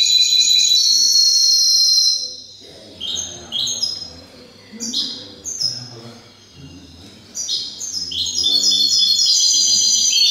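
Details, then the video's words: Singing goldfinch hybrid of silvestrismo tradition: a bright, high trill, then a series of short twittering, tinkling phrases separated by pauses, ending in a rich rapid warble, with soft low background sounds. "MIXTO JILGUERO"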